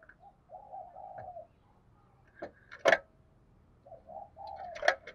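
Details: Lure spotted dove cooing in two drawn-out, hoarse phrases separated by a pause, with sharp loud taps or clacks sounding between and over the coos.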